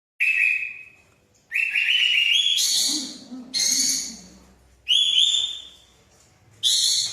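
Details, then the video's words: Sooty-headed bulbul of a local type, giving loud whistled phrases that rise slightly and end in brighter notes. Each phrase lasts about a second, separated by short pauses, with faint background hum. "Burung Katem/Kapas Tembak Lokalan"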